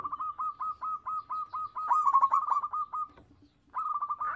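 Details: Local zebra dove in strong song, used to lure other doves: a long even series of short soft coos, speeding into a tight rattling run, brief pause, then more coos; steady high hiss behind.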